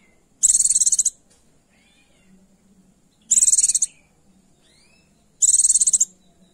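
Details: Three sharp, high buzzy trills about two and a half seconds apart, with faint slurred notes between them, from a female Oriental white-eye calling to attract and arouse a male.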